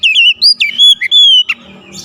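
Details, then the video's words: Oriental magpie-robin song in a short loud phrase: wavering whistled notes, then long pure sustained whistles, broken by brief sharp slurred notes before fading to quiet. "SUSUNAN KICAUAN KACER YANG INDAH DAN ENAK DI DENGAR"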